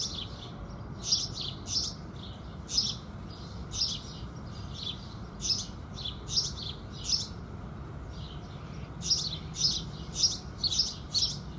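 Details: Morning chorus of house sparrows at sunrise, with sharp, clipped cheeps in loose bursts and a short pause midway. A constant low background hum runs underneath.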